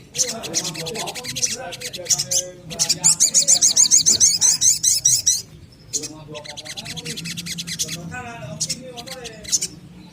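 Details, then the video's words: Little spiderhunter lure song for young birds: shrill chipping phrases, then a fast, even series of sharp high notes about twice a second for two seconds, followed by more chatter and lower warbles. "SOGON gacor narung cocok untuk pancingan SOGON bahan agar cepat bunyi rajin dan gacor"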